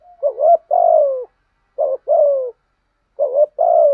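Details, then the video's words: Decoy spotted dove calling to lure wild birds, with full gù, thúc and gáy call styles: three loud, low two-part coos, each a short hooked note then a longer falling one, repeated about every one and a half seconds in silence. "Tiếng chim cu gáy mồi bài bản gù thúc. kích bổi là gáy"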